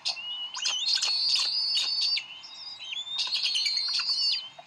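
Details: Decorah Bald Eagle pair at the nest, 30 May 2012, arguing over a fish at dinner time. High, thin whistles and rapid chittering notes come in two excited bursts, split by a short lull.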